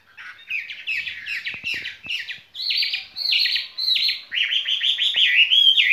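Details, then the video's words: A caged skylark sings a spring song, pouring out a fast, unbroken run of high chirps, buzzy trills and sharp whistled notes, about two phrases a second, with no other sounds. "son ca bản tình ca mùa xuân"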